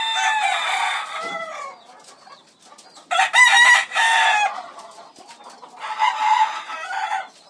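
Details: Farmyard chickens: three loud, harsh rooster crows, each about a second long, separated by brief clucks and soft calls.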